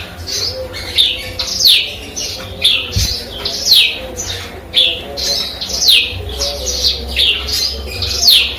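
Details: Eurasian tree sparrow singing energetically with canary and cigun phrases mixed in; a lively stream of high chirps and descending slurred notes, bursts roughly every second, with a single low knock partway through.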